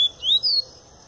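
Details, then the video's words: Double-collared seedeater in pure Tui Tui style, a bird coming out of molt: a brief pair of clear, high whistles, the first rising and the second drawn out and falling slightly. "Papa-capim Tui Tui puro"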